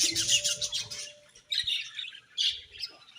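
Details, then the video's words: Budgerigars chirping in the morning: a dense burst of bright, high twittering chirps for the first second, then short scratchy chattering phrases separated by brief pauses, with faint low thumps underneath. "𝑩𝒖𝒅𝒈𝒊𝒆𝒔 𝑪𝒉𝒊𝒓𝒑𝒊𝒏𝒈 𝑺𝒐𝒖𝒏𝒅𝒔 𝑰𝒏 𝑻𝒉𝒆 𝑴𝒐𝒓𝒏𝒊𝒏𝒈"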